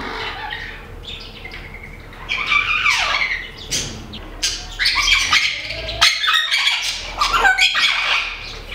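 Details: Garden visit by a great-tailed grackle in Nezahualcóyotl, State of Mexico: a falling whistled slur followed by a series of loud, harsh, crackling squawks and clacks, with faint traffic rumble beneath.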